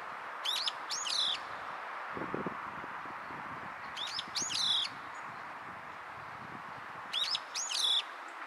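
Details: Juvenile Brown-eared Bulbul calling with its tongue showing, recorded 10 May 2023 in the afternoon: sharp, high, squeaky notes, two in quick succession per burst, repeated in three bursts about three seconds apart over steady background hiss.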